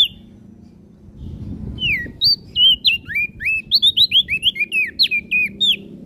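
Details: Olive-backed tailorbird singing vigorously, used as a master song to train songbirds such as crested opior: after a quiet start, a fast run of slurred, downward-bending whistled notes, about three per second, over a low rumble.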